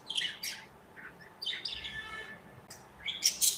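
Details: Pet budgerigars chirping and interacting in their cozy aviary: quiet, scratchy high chirps and short warbled notes in scattered bursts, with a sharper burst of chatter near the end over faint room hiss.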